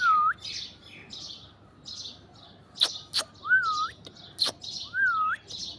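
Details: Alexandrine parakeet in an orange tree: soft scratchy chirps in a loose series, then three smooth, swooping whistles toward the end, with sharp clicks in between.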